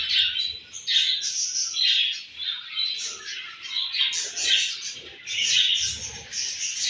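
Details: Home-bred budgerigar babies give steady, busy chirping: overlapping high squeaky notes and rasping twitters pulse roughly once a second without pause, with soft low knocks in the background.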